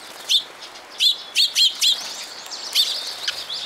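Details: High, bright sparrow chirps, five in quick succession then a pause and more, from birds coming to a post for food at a shrine in June; a fainter chatter runs behind.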